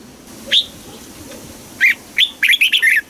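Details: Red-whiskered bulbul in song-contest training: a single clear whistled note, then after a pause a quick run of warbling chirps, bright and slightly descending, over low background noise.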